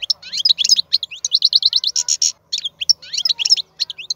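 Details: Wild-caught European goldfinch, praised as an excellent and powerful singer, delivering a fast, continuous twittering song of high tinkling notes, rapid chirps and short buzzy trills packed closely together.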